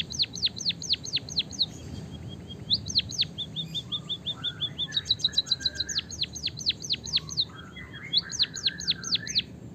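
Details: White-headed munia, trained toward a canary song: repeated bursts of steep falling whistles and fast high trills with buzzy lower notes between, the phrases cycling continuously over a low background hum.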